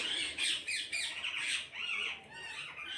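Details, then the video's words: Several parrots screeching together in a flock, loud harsh squawks repeated in quick succession, rough and grating, with a few higher shrill notes. "கூட்டமாக கிளிகள் சத்தமிடுகிறது"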